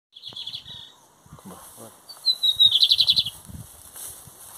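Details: Lined seedeater in Brazil, 2023 competition season, comparing the metálico and torneiro song styles: a high thin whistled note, then a loud buzzy trill of about eight fast pulses, with low human voices in the background.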